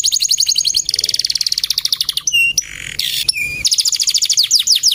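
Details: Male canary in full gacor song, a long run of rapid high trilled notes, then whistled slurs and buzzy harsh notes, then quick chirping phrases again.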